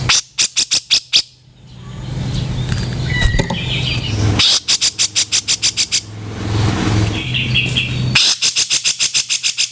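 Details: Cage-bird training recording of Grey-cheeked bulbul harsh 'kasaran' calls: three fast rattling bursts of dry, rasping pulses, each run lasting about one to two seconds, separated by noisy stretches with faint chirps and low hum.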